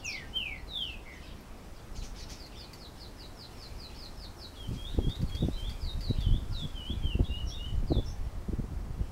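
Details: Diademed tanager singing in a galloping song style at Canoas, Rio Grande do Sul: fast series of short sliding high notes, first descending strokes then a rapid rolling run, with low thumping and rustling noise in the second half.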